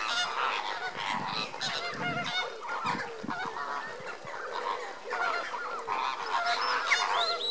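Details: Lesser flamingos being given enrichment, a busy crowd of honking and grunting calls, some rising and some dropping, roughly a hundred notes a minute in irregular clusters, with low grunts near the start.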